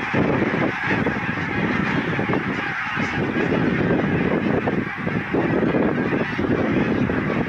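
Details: A flock of many thousands of greylag geese arrives from Iceland for winter near Kilchoman on Islay, Argyll, Scotland, on 7 October 2020. A dense, unbroken wall of overlapping honks fills the air.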